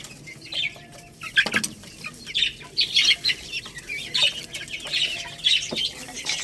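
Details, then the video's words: Young Lohmann Brown chicks, a growing little rooster and baby hen, eating rice: scattered high thin chirps in short bursts, mixed with sharp pecking clicks and a few louder taps. "Chicks Chirping Sounds"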